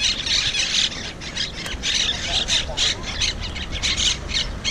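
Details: Harsh chattering of wild invasive Monk Parakeets at Malaga's Malagueta beach, filmed on a GoPro 5: rasping shrieks in clustered bursts with brief pauses, steady and loud throughout, faint outdoor background.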